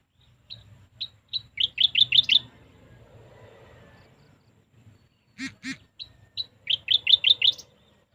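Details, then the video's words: Singing bird repeating a phrase twice: spaced single chirps quicken into a fast run of five or six loud, high notes. Between the two phrases come two harsh, buzzy double notes, with soft low rumble behind. "natural sounds of birds shirping they're singing"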